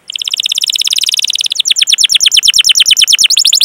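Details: Canary rolling (ngerol) lure song for stirring young, untrained or silent canaries: a very fast even buzzy trill shifts midway into a slightly slower trill of chirped notes, steady throughout.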